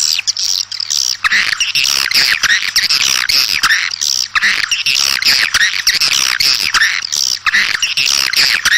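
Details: Swiftlets heard outdoors calling the flock, a loud continuous mass of high twittering and buzzy chirps with repeated swelling phrases from many birds.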